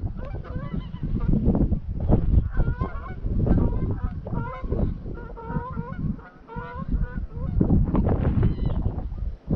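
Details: At dusk on Anglesey, greylag geese stream toward Llyn Maelog to roost; clear repeated honking, several birds calling at once in bursts, with low wind noise beneath.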